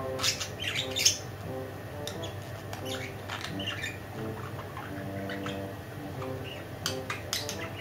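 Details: Pet budgerigar, one of two kept together, whispering on and on: soft scratchy chatter broken by sharp clicks and brief squawks, with steady tonal background music throughout.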